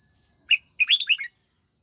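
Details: Red-whiskered bulbul kept for song training, singing in the '89 twisting' style: one sharp note, a short pause, then a quick warbled run of four or five rolling, whistled notes, clean and loud against a quiet background.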